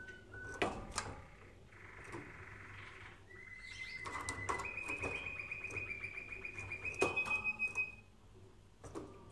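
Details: Canary singing for use in training other canaries: a buzzy rolled burst, then long rapid trills held on one pitch that step slightly higher, broken by sharp clicks and knocks.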